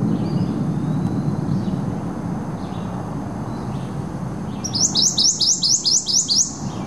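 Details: Prothonotary warbler (Protonotaria citrea) singing at Skokie Lagoons on 30 May 2010: a loud, ringing burst of about eight identical sweet notes in quick succession, over a low background rumble with faint chips before it.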